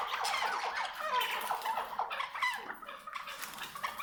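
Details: A pure Maskati Chukar partridge utters rapid, harsh, chattering notes in quick, uneven bursts.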